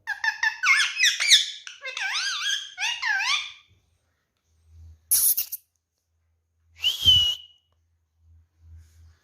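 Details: Talking pet Indian ringneck parakeet, 16 years old, kept indoors, producing quick chattering speech-like syllables with wavering inflections for about three seconds, then silence broken by a sharp squeak and a short rising whistle, with faint low thumps.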